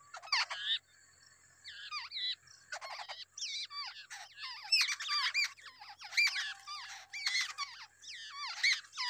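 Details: Wild babbler feeding two different young: dense, excited squeaky calls with sharply falling notes and rapid chattering bursts, overlapping almost continuously.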